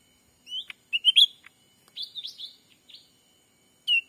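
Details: Lure call of a black-capped bulbul for drawing wild birds, Sumatra forest: clear upslurred chirps and brief warbled phrases in short bursts, separated by pauses, ending with a single loud whistled note.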